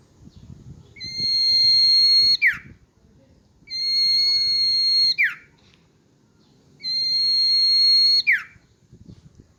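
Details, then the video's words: Common iora, a captive bird held in the hand, singing. It gives a long, level whistle drawn out for about a second and a half, then a quick downward slur. The phrase repeats three times, about every three seconds, over low room noise. "burung sirtu/cipoh gacor di tangan"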